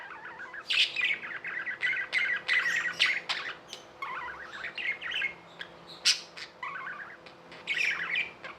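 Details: Budgerigars kept as tame pets give a busy stream of warbled chatter, rasping squawk-like notes and bright high chips, loud bursts alternating with brief softer gaps.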